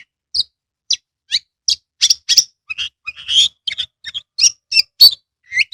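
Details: Lure song of a caged Oriental magpie-robin, meant to make other birds sing: regularly spaced sharp chirps, then a busier passage of harsh notes and whistles ending in a rising slur.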